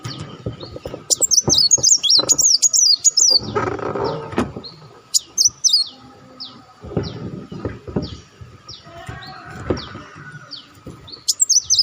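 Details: Olive-backed sunbird calls played as a lure to draw in birds: bursts of high, thin, slurred whistles and twittering chirps in short runs, among low knocks, thumps and background rumble.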